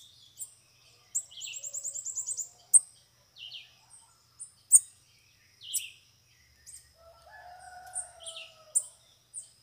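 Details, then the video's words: Several free bananaquits gathered around a caged bird: a short high, rapid buzzy trill followed by scattered thin chirps and sharp ticks, with a lower drawn-out sound near the end. "canpeada de sibite chegou varios sibite solto na gaiola"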